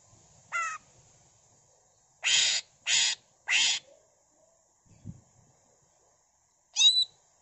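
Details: Greater green leafbird (cucak ijo) in full song: a brief slurred whistle, three loud grating buzzy notes in quick succession, quiet gap, then a final sharp whistled flourish.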